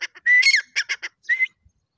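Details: One short, loud grey francolin phrase: a drawn-out rising whistle that breaks into a few harsh, clipped notes, followed by a second shorter whistle.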